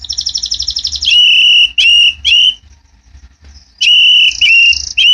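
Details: White-rumped shama (murai batu) at a bird farm singing: a fast rattling trill, then loud clear whistled notes with sharp upward flicks, repeated after a pause, over a low steady hum.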